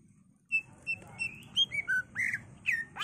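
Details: Greater green leafbird singing for luring and training birds: short level whistles spaced apart, then slurred notes rising and falling, ending in a loud upward sweep, over a low hum.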